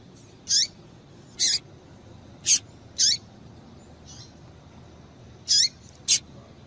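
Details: A female double-collared seedeater gives calls meant to excite males. Short, high-pitched chips, several with a falling tail, come about once a second amid low steady background hiss.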